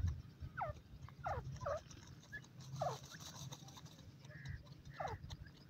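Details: Grey francolin chicks at play in forest: clear, thin, downward-sliding peeps, roughly one every half second to second, with brief pauses, over a constant low rumbling background.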